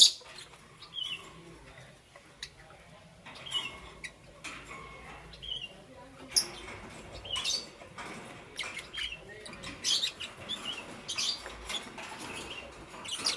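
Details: Morning chirping from green, yellow and lutino lovebirds, starting with sparse thin high notes, then becoming busier with rapid harsh, scratchy chirps and squeaks packed together in the second half.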